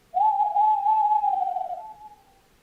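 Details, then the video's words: Tawny owl recorded on 11 January 2026 giving a long, smooth, steady hoot of about two and a half seconds that fades gently at the end, in a quiet setting. "Tawny owl at Hans nature channel 11-01-2026. That sound so nice."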